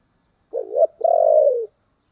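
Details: Spotted dove cooing, played to lure wild doves into cooing back: a short mid-pitched coo, a brief pause, then a long purring coo that slides lower at its end, on a silent background.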